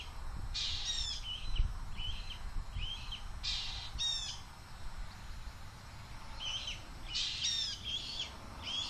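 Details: Juvenile Red-tailed Hawk screaming at its mother as she flies past the nest, begging for food, on 2 July 2023: harsh, raspy screams in bursts of several notes every few seconds over a low wind rumble.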